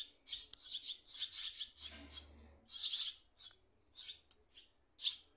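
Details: Swallow chicks in a nest, parents visiting briefly or waiting on wires; strident, hissy high chirps in a fast run, a pause, then another burst and a few scattered single notes.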